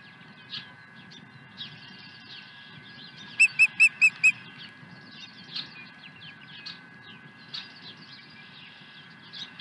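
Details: Osprey at the Dunrovin Ranch nest on 23 April 2020, arriving with a second fish; a short burst of five sharp whistled notes midway, surrounded by scattered chirps and twitters from other birds.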